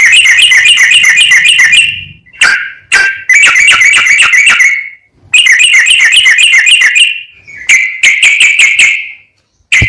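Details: Yellow-vented bulbul pouring out rapid rolling song to rouse other bulbuls: repeated long rattling chatter phrases of about two seconds each, broken by short gaps and isolated sharp notes.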